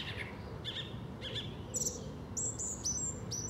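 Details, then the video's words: Song thrush singing in South England: a short whistled phrase given twice, then bright high notes repeated several times in quick succession, with a steady low background rumble. "Song Thrush singing - Grive musicienne"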